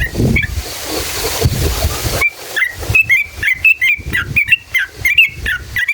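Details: Sooty-headed bulbul song used to provoke other bulbuls: after two seconds of broad hiss, a quick series of bubbly whistled notes starts, repeating more than once per second.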